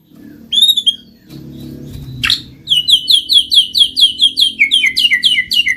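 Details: White-rumped shama song played as a lure to trigger singing: a few high whistles, then a fast, even series of sharp chipping notes repeated more than twice a second.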